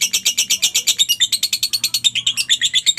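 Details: Lovebird giving a quick regular series of harsh high notes, about eight per second, with a few thin whistled accents; used to coax quiet lovebirds into answering.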